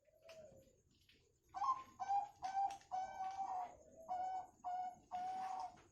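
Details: Zebra dove, local and Bangkok types, recorded as a lure to get other birds singing: a run of short, clear cooing notes with a ringing overtone, each held briefly and repeated in quick bursts over a quiet background.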